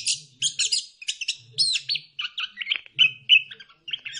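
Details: Orange-headed thrush song played as a lure to stimulate singing: clusters of bright chirps and looping whistled phrases, delivered quickly and irregularly at about three elements per second.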